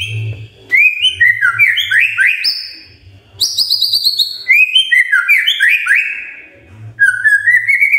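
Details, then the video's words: Magpie-robin giving morning song to prompt other magpie-robins to sing, cascades of descending whistled notes in quick repeated phrases separated by pauses, over a faint low hum. "Pancingan PAGI PAGI AGAR MURAI GACOR❗ murai diam pasti ikut NYAUT❗❗"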